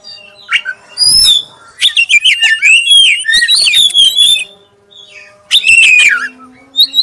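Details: Lure song from a black-breasted oriental magpie-robin, clear-toned, meant to trigger singing in other magpie-robins: a thud, then a fast string of varied whistled notes, a pause, and a final short whistled flourish.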